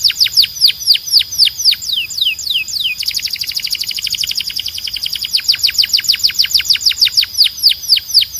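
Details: Belgian canary in full song: repeated descending sweeps, a fast rolling trill of tightly packed notes, then more quick downward sweeps delivered several per second.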